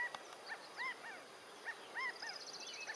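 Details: California quail sitting on a fence, calling to others in its group: short arched notes, clear and slightly nasal, given in quick pairs and singles, with a faint high buzzy trill from another bird behind.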